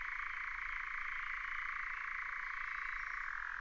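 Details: European nightjar recorded in 2019, giving a steady, unbroken mechanical churr, a fast dry trill held at one pitch for the whole stretch with no other sounds.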